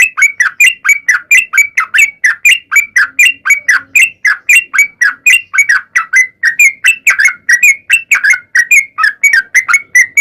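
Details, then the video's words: Rapid sooty-headed bulbul lure song to make bulbuls sing, dense runs of whistled, dipping and rising notes, about four each second, continuing without a break. "trucukan gacor ROPEL PANJANG buat pancingan trucukan agar bunyi"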